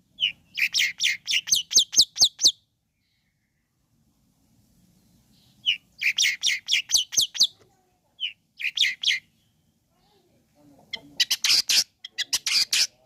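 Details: Long-tailed shrike song used to fire up other shrikes: several bursts of rapid, harsh chattering notes, each run lasting one to two seconds, separated by short pauses.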